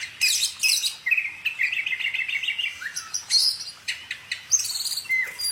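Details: Songbird delivering a rapid trill of repeated short notes mid-phrase, framed by sharp high chirps and scattered whistled calls.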